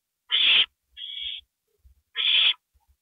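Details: Owl at night, 2:05 AM on April 27, recorded at a nest as a gopher is delivered: two long, harsh, hissing screeches with a shorter, thinner rasp between them, spaced about a second apart, with faint low knocks.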